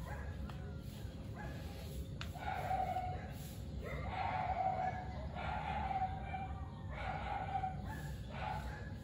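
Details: Zebra dove calling, recorded on 25 September 2021: a series of soft, mid-pitched cooing notes in short bursts about every second, with a steady background hum and some low rumble.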